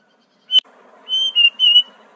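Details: Sooty-headed bulbul with a song laced with mimicked prenjak, cucak ijo, cucak rowo and murai phrases. A sharp click is followed by three clear, steady whistled notes, the middle one slightly lower, against a low hum.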